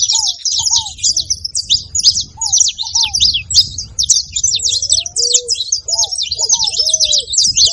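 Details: Saffron finch calling: a steady flood of quick high chirps overlaps throughout, with paired lower curved whistles at intervals and a rising gliding note followed by level whistles near the end.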